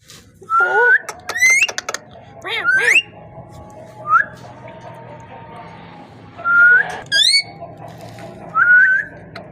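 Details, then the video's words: Parrot producing a string of clear whistled notes, some flat, some steeply rising or swooping with rich overtones, in irregular bursts separated by short pauses over a quiet room hum. "Amazing parrot voice talking sound parrot"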